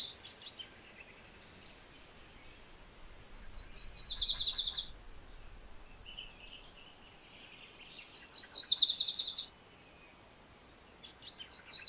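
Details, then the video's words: MacGillivray's warbler repeating short, buzzy, high song phrases roughly every four to five seconds, each a fast run of chips, with quiet hiss between bursts. "MacGillivray's Warbler Song ! MacGillivray's Warbler Sounds ! MacGillivray's Warbler Call"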